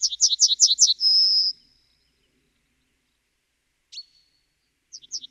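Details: Yellowhammer (Emberiza citrinella) song with fast repeated high notes ending in a held note. A lone short call follows after a silence, and the start of the next song cuts in at the end.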